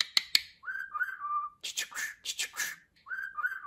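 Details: Budgerigar kept as a pet: two sharp clicks, a level whistled note, a burst of hissy speech-like syllables, then the whistle again.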